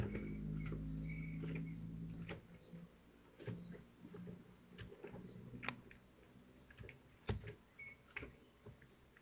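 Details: Common kestrels feeding at their nest in Théding, France, 25 June 2023, pulling at delivered prey; a low hum opens, then thin high whistled calls recur among sharp clicks and knocks.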